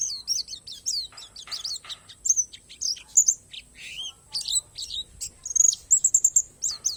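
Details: Energetic, high twittering from a Palas Borneo white-eye, mixing fast downslurred chips with short sustained whistles toward the end, in an uneven, restless rhythm; song filled with natural phrases.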